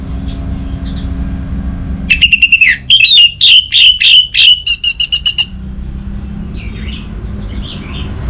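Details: Orange-headed thrush, known locally as anis merah, song used as a lure to coax silent birds into singing: a fast run of sharp repeated notes with harmonics, about three seconds long, set between quieter stretches with low background hum.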